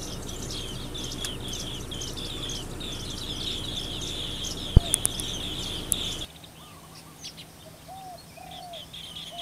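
A flock of green bee-eaters gives many quick, high chirps over a steady insect drone. After a cut, a few lower, curving whistles from other birds follow.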